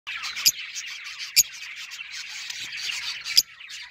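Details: Lovebirds in San Luis Potosí keep up a dense, shrill, buzzy chatter throughout, broken by a few sharp clicks or rattles.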